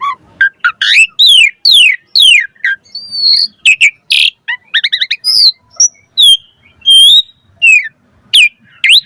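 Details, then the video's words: Energetic Asian pied starling song used as a tutor recording for other starlings: a fast string of sharp downward-slurred whistles, harsh rasps and squeaky notes, with a few longer clear whistles near the end. "Pancingan Jalak Suren Gacor Auto NYAUT Cepat MOMPA"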